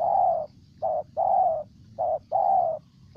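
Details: Cooing of a spotted dove from Ninh Thuan, Vietnam: mellow low coos alternating short and long, the longer ones gently descending, spaced roughly evenly, over a quiet low hum.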